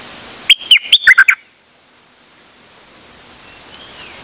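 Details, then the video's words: Dok taeng bird on 8 September 2023 giving a single burst of six quick, bright whistled notes that step downward, followed by quiet with a faint distant whistle. "เสียงนกดอกแตงEp.187 จ้าวขันเงิน นานๆออกเที่ยวสับไม่หยุด!!"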